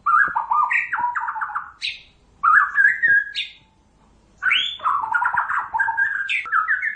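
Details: White-rumped shama of the Pasaman murai batu type singing rich, loud whistled phrases: rapid stuttering runs of notes, sudden upward-sweeping high notes, bursts separated by short pauses.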